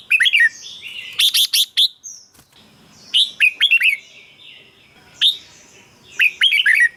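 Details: Red-whiskered bulbul voice meant to excite birds or act as a decoy: bursts of chirpy slurred notes, a brief rising whistle, then several short bubbly phrases with pauses.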